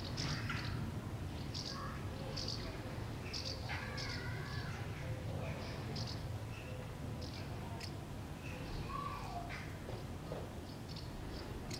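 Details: House martins in a street in Beek-Ubbergen, the Netherlands, on 9 September, giving scattered dry, chirruping twitters at irregular intervals, some in quick pairs, over a steady low rumble with faint voices.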